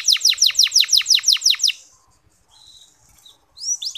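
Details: Canary song intended to coax male canaries into singing: about ten crisp descending chirps in quick, regular rhythm, a near-silent gap with faint notes, then fresh swooping whistles.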